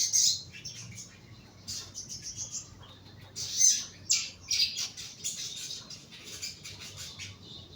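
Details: Young crimson sunbird held in a lower cage for therapy, uttering bright, very high twittering chirps in irregular bursts, some sharp and squeaky, over faint low hum.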